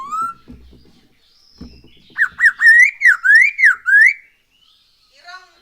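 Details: Black-throated laughingthrush, recorded as a lure to get birds singing: a brief rising whistle, soft taps, then a sequence of loud looping whistled notes that rise and fall, ending in a faint high note.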